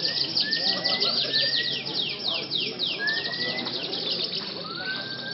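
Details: Canary singing at a night-time canary singing contest judged by a stick point system. Fast descending trills repeat rapidly, broken by long clear rising whistles, with faint chatter and background murmur.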